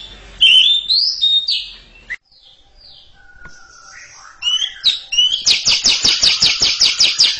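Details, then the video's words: Before a quiet junior bird, a greater green leafbird opens with varied whistled warbles and sliding notes, then builds into a steady ngekek chatter of harsh, rapid, evenly repeated notes. "Cucak Ijo ngekek panjang siap ngeroll didepan junior macet"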